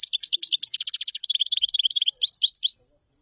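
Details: Common chaffinch delivering a long, high, rapid sequence of chirping notes for almost three seconds, with one brief pause and a steady, bouncy rhythm throughout, in quiet surroundings.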